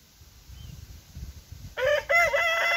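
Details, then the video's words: An Orpington rooster crows loudly after a low rumbling background, a bright harmonic call that starts abruptly, breaks briefly, then carries on strong and steady. "Orpington rooster crowing"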